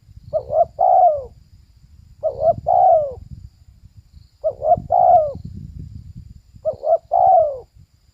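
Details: Female spotted dove giving four evenly spaced coo phrases about two seconds apart: a quick broken double note, then a long falling coo, over a steady low rumbling background.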